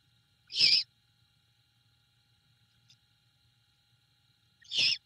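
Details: Female great horned owl at a Savannah nest on 21 February 2022 at night. She feeds a rat brought by the male to her owlet and resettles with yips and yeeps. Two brief, noisy, hissy squeals about four seconds apart over a faint hum.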